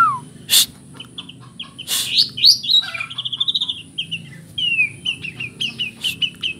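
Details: White-rumped shama with 'isian kapas tembak' fill, delivering rapid strings of bright repeated notes, downward slurs and trilled runs, interrupted by sharp broadband clicks, over a constant high-pitched hum.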